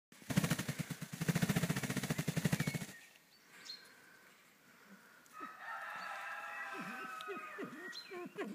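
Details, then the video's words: A crested fireback pheasant gives a loud, rapid rattling whirr lasting about three seconds, then soft, low rising notes, with faint higher bird calls behind. "Crested Fireback Pheasant / Lophura ignita / Огнен фазан гребенест"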